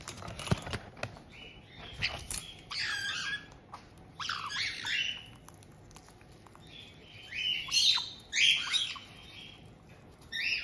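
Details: Captive white-bellied caiques in a multi-bird home in Tokachi, Hokkaido, Japan, June 2023: a resident pair greets a newly arrived two-month-old young bird with scattered high chirps and short squawky bursts, plus light rustling and wing noise.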